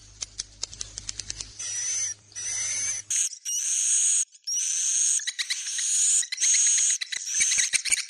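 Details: Sharp clicks and a low hum come first, then loud high buzzy swiftlet roosting chatter in bursts with thin whistled tones.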